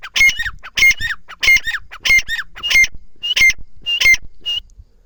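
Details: Partridge giving a loud, harsh, repeated call in rhythmic bursts roughly every two thirds of a second, each burst a quick cluster of squawky notes, seven to eight phrases in a row.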